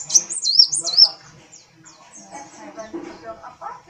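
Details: Kolibri wulung (brown-throated sunbird) singing energetically while its tail flicks: a burst of high, fast, zigzagging whistled notes that rise and fall, then fade into soft scattered chirps over a low murmur of background sound.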